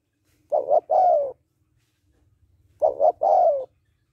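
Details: Two matching phrases from a female spotted dove calling to excite a male, each a rapid two-part coo then a long, slightly falling croo, separated by about two seconds of near silence.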